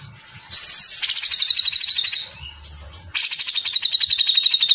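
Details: Grey-cheeked bulbul giving dense, lively 'mesetan' song for cage-bird training: a long harsh hiss that turns into pulsed buzzing, two short upslurred notes, then a rapid rhythmic trill of repeated buzzy notes.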